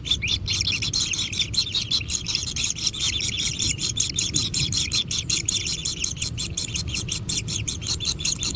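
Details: Hungry kingfisher nestlings in a natural nest keep up a continuous grating, hissing buzz, pulsed in rapid uneven beats, loud and unbroken throughout feeding.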